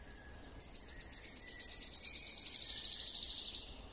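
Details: Wood warbler in full song: after a brief opening note, sharp high ticks quicken and merge into a loud, ringing, shivering trill about three seconds long, then cut off. The background is quiet.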